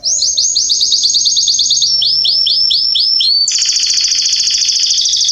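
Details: Canaries singing in a garden in September 2020: rapid rolling tours of repeated downslurred whistled syllables, one tour then a lower-pitched tour, ending in a fast, bright, buzzy trill.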